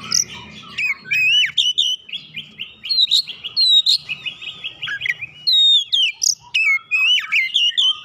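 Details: Oriental magpie-robin, roused from silence into song, pours out a near-continuous stream of warbled, whistled and trilled notes with quick upslurs and downslurs.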